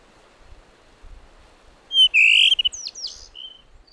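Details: Blue rock thrush song on a rocky shore at Muroto, Kochi Prefecture, Japan: a short, somewhat quieter phrase of a bright drawn-out whistle followed by a few quick slurred notes and a brief high whistle, with faint low background noise.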